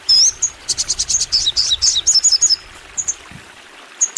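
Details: Energetic crimson sunbird singing continuously: a rapid run of very high, sharp chirps and twittering notes, some with quick down-slurs, packed over two seconds, followed by a few isolated thin tweets.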